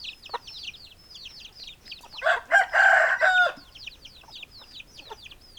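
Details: Rooster crowing loudly in a broken series of strong harmonic pulses lasting just over a second, set among steady high chirping of many small birds before and after.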